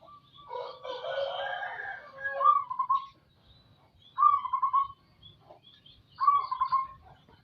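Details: Local zebra dove in strong voice, a hoarse rolling phrase followed by two short bursts of rapid, bubbling cooing spaced about two seconds apart.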